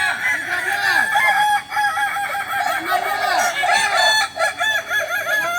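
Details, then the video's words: Kokok Balenggek chicken crowing at joint practice in Solok, West Sumatra: a continuous, layered crow of repeated arched syllables, several roosters overlapping throughout, no pause between calls. "latihan bersama Ayam kukuak balenggek"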